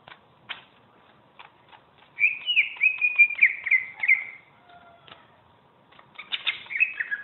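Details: Greater green leafbird, a champion singer used for tutoring, with faint clicking ticks, then a two-second burst of fast slurred whistles and trills, a few soft tones, and a closing warbled phrase.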